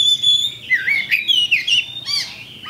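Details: Champion Oriental magpie-robin (kacer) giving a pancingan lure song meant to spur other birds to fight: a long high steady whistle, then rapid rising and falling slurred notes, with a faint low hum behind.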